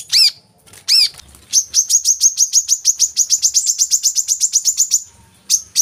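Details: Coconut sunbird song meant to make caged birds sing: two loud high chips, then a long, fast, even trill of thin notes lasting about four seconds.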